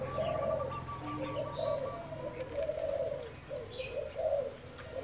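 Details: Spotted dove cooing in the thúc style, a rapid run of low, soft, rounded coos repeated without pause, a few faint higher chirps in the background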